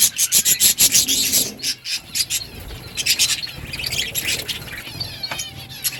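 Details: A group of budgerigars eating green food, opening with a run of loud, quick chirps, then softer scratchy warbling and thin whistled notes, with a low hum beneath.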